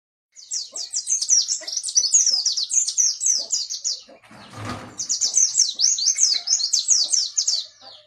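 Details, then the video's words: Yellow-breasted white-eye from Pacitan singing in the rolling wild style known as ngalas ngerol: rapid, dense, high chirping phrases of sharp notes, broken midway by a brief dull thump before the twittering resumes. "Burung Pleci Dada Kuning Pacitan suara ngalas ngerol"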